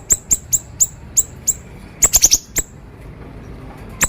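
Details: Siri-siri bird song used for training other birds: very high, sharp ticking notes repeated about every quarter second, then a quick cluster of four notes, followed by near silence and one last tick.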